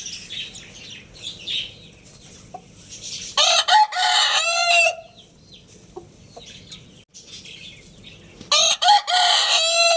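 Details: Two loud rooster crows several seconds apart, each a harsh, stuttering cock-a-doodle-doo ending in a held, falling note. Faint chirps and scattered clucks are heard between them.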